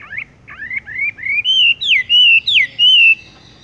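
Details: Horsfield's bush lark in the 'tung roll gantung langsung ngerol' rolling style: a sequence of rising whistled notes, soft at first, building into loud, long sweeping whistles that slide up and down.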